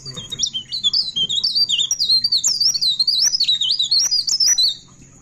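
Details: Pied bushchat at midnight pouring out a continuous rolling ngerol song: dense, high, twisting whistled notes with sharp clicks woven through, fading at the end over a faint low hum.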